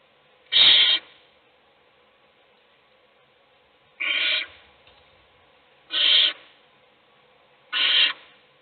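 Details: Mother owl feeding one chick as the rest sleep; four evenly loud, rasping hiss-screeches of about half a second, roughly two seconds apart.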